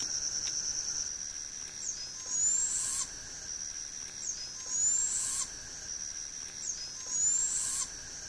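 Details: Barred owl fledgling begging in Liberty County, Texas, on August 7, 2012: three raspy, hissing screeches, each sweeping upward, spaced about two and a half seconds apart over a steady high insect drone.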